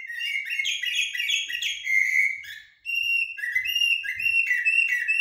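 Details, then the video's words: Common blackbird, known as jahmumiya or shahrour, delivering almost continuous haddadia- and military-style song: rich mellow warbling, then steadier repeated whistled notes with scratchy high overtones, faint low knocks underneath. "طائر الجحمومية أو الشحرور بتغاريد حدادية و عسكرية"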